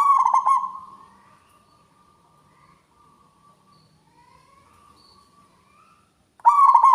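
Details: Local zebra dove with a loud, ringing voice: the end of a stuttered cooing phrase trails into a long, faint, wavering hum, followed after a pause by the start of another pulsed phrase.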